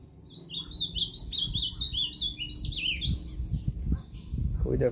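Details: Ultramarine grosbeak, a kept bird from Limoeiro do Norte, recorded 20 September 2023, singing the northeastern song style: a quick, sweet warbled phrase of rising and falling whistled notes lasting about three seconds, over low rumbling background noise, followed by a man speaking.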